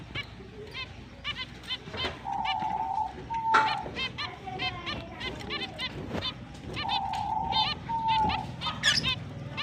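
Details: Kept finches at the start of breeding season, 29 October 2023, chirp busily in short bright high notes, several birds overlapping at a fast pace, with two drawn-out nasal tones standing out.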